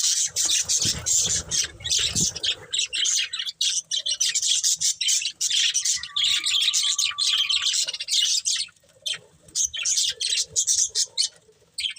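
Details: Budgerigar breeding pair keeps up continuous high, rasping chatter and warbled chirps, with a thin steady whistled tone held briefly in the middle and a few low thumps near the start.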